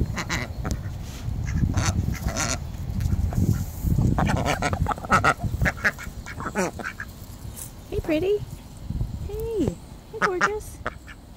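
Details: Domestic ducks begging for more treats. A human voice talks through the first half. Later come several short, nasal, rising-then-falling quacking calls, spaced about a second apart.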